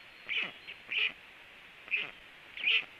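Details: Black stork calls at the nest while one of two birds lands: four separate rasping, squeaky notes spaced unevenly over three seconds, each brief and bright with a faint descending tail underneath.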